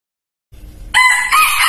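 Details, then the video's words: Crow of a decoy cockerel used to attract wild junglefowl: a faint lead-in, then the loud harsh crow starting abruptly and cut off partway. "suara kokok ayam pikat sangat josz"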